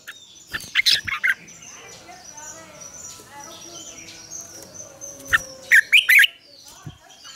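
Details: Red-whiskered bulbul training lure, morning double-note song in mature wild style: a quick cluster of loud warbled notes, a long pause with faint background chirps, then another burst of three or four rich notes.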